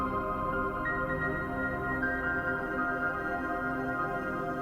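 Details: Steady ambient new-age music with sustained layered tones plays throughout, and no animal voice is heard.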